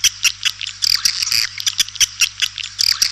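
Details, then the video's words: White-nest swiftlet lure call for attracting swiftlets: sharp high chirps and clicks in quick irregular bursts over a low steady electrical hum. "Suara Panggil burung walet"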